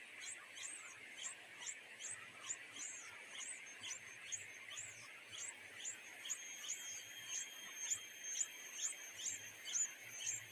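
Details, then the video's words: Pair of greedy nightingale chicks begging at the nest for their mother to feed them: rapid, high, piercing squeaks in a long run. The calls grow louder and sharper toward the end, over a constant buzzy insect background. "the two nightingale chicks were so greedy that their mother was unable to find food for them"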